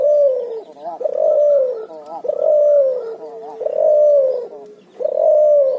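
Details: Cuhu hybrid of puter and spotted dove giving its ngoar nguku call: rhythmic low coos with a falling tone, repeated about every second, with brief rougher notes between them.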